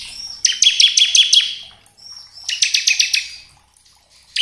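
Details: Bar-winged prinia, crystal type, used as a provoking lure: two bursts of loud, rapid, buzzy chip notes, about six per burst, with a brief quiet gap between them.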